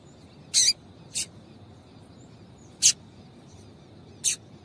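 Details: Female double-collared seedeater call, used to stir up a male into singing: four short, harsh, broadband chips, spaced irregularly about one to one and a half seconds apart, over faint steady background hiss.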